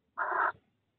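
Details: Tawny owl chicks 12 and 13 days old in a nest box at De Mortel, mid-April 2021, during the breeding season: one short wheezy, hissing call lasting about a third of a second against a quiet background.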